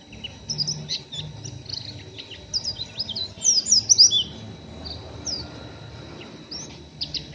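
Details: Oriental white-eye, a young untrained bird, giving rough ngeriwik chatter: scattered high, thin chirps and quick downslurred notes, with a denser burst of sharp notes midway and a steady faint hum beneath.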